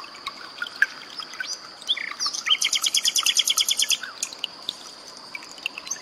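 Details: Common nightingale, called sikatan londo, singing a 'tembakan' burst for cage-bird training, mixed with trickling water: brief chirps, then a fast run of about fifteen sharp, high repeated notes lasting two seconds, over a constant high whine.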